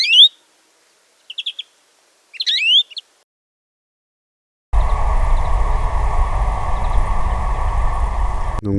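European Greenfinch giving three short bursts of high, rising chirped calls over three seconds, followed by a steady wash of broadband noise.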